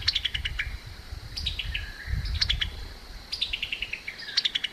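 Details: Distinctive chuckling call of a summer tanager: four fast, stuttering runs of high chips, each falling in pitch and spaced about a second apart, over steady low rumble.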